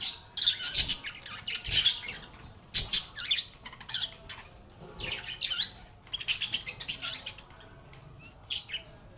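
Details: Lovebirds giving harsh, high squawks and rapid chirps in clustered bursts, several birds calling over one another with short pauses between flurries.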